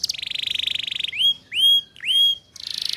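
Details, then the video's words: Young-canary training song in the ngeriwik style: a fast buzzy trill, then three clear rising whistled upslurs about half a second apart, closing with another buzzy rattle. "Suara Pancingan KENARI Paud Cepat Belajar BUNYI Ngeriwik"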